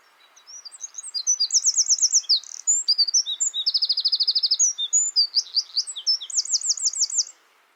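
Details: A Eurasian wren hidden in a hedge in the West Sussex countryside bursts into a loud, high, tumbling song of sharp notes and fast ringing trills, running unbroken for about seven seconds.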